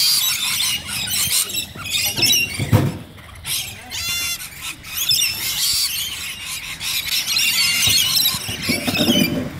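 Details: Rainbow lorikeets at Bonnyrigg screech in bursts of harsh high chatter that rise and fall in loudness, with a clear tonal, harmonic squawk from a single bird near the middle and brief quieter gaps.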